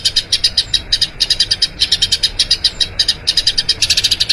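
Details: Eurasian tree sparrow delivering a long rolling song for training other birds. Short, clipped high chirps fall in quick clusters of several notes, with small gaps between clusters.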